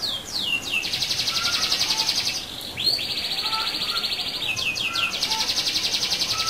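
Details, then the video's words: A canary's rolling song used to provoke rival canaries into answering: long sustained rapid trills broken by brief downward swoops, the rolls resuming repeatedly, with faint lower chirps in the background. "Pancingan Kenari Gacor Dor Ngeroll"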